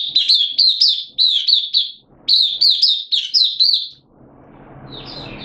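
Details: Caged oriental white-eye, a Mata Puteh kept as a hobby songbird, in open song: loud high warbled phrases of rapid chirpy notes in two bursts, then a soft rustling hiss at the end.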